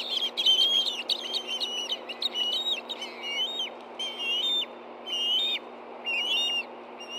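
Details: Two hungry Ospreys at a Hellgate Canyon nest in Montana, late morning of 24 August 2013, stirred by a fish delivery: high whistled calls with rising and falling slurred notes, coming in uneven bursts separated by short pauses.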